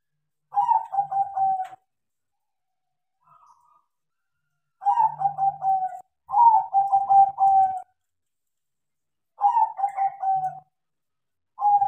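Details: Tame crossbred zebra dove, Bangkok type, trained to sing actively: the same rolling coo phrase, four or five bubbling notes ending in a purr, repeated five times at intervals of one to three seconds in a quiet room.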